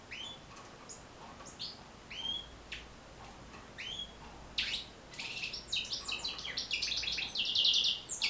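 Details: European goldfinch singing, recorded to teach and motivate goldfinches to sing: spaced single chirps at first, then a louder run of dense, scratchy twittering toward the end, with a low hum underneath.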